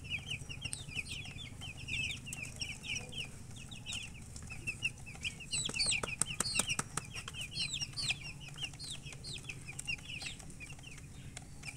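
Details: Many just-born chicks peeping at once, continuous overlapping high downward chirps, with a burst of clicking or scratching in the middle and a faint low hum.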